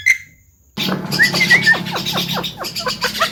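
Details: Javan myna mblegedeg song used as a lure for mynas that won't sing: after a brief pause, a burst of gurgling whistles and scratchy, rapidly repeated downward strokes.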